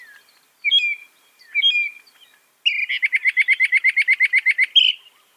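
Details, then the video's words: Northern mockingbird, famed for copying some 200 sounds, sings two separate slurred whistles, then a fast even rattle of repeated chips about four per second lasting nearly two seconds, quiet background. "Masteran suara burung NORTHERN MOCKINGBIRE bisa merekam 200 suara"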